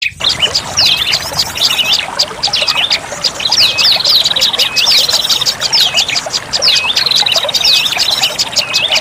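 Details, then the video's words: Olive-backed tailorbird lure call: a dense, continuous chorus of sharp high chirps and looping whistled notes, many overlapping and repeated rapidly, over a steady hiss. "suara pikat burung prenjak lumut ampuh"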